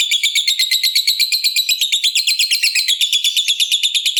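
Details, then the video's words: Fighter lovebird giving its long 'ngekek panjang' trill, used to lure other lovebirds into calling: a continuous high, buzzy chattering trill of about three pulses a second, steady for over four seconds. "Lovebird Gacor Ngekek Panjang !! Pancingan Top Lovebird Apapun Bikin Rajin Bunyi Ngekek Panjang"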